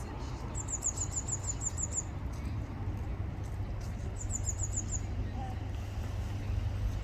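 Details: Blue tit singing: two bursts of a rapid, very high, thin trill of evenly repeated notes, the second burst shorter, over a steady low rumble of road traffic.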